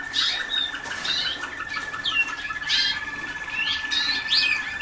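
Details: Young Waterslager canaries a few days into song training, still far from a finished song: varied high whistled and rolling phrases, rising and falling notes, over a steady low hum.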